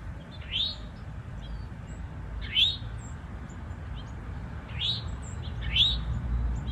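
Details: Eastern towhee pair in woodland, male defending nesting territory; bright rising slurred notes repeated about every one to two seconds, some doubled, with soft high chirping from other birds and background rumble.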